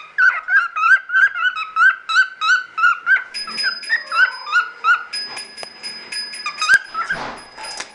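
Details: Male pet cockatiel singing in courtship display indoors: a series of short whistled notes repeated about three times a second, rising slightly in pitch. Later in the song, steady high electronic-sounding tones run alongside, and a bump occurs near the end.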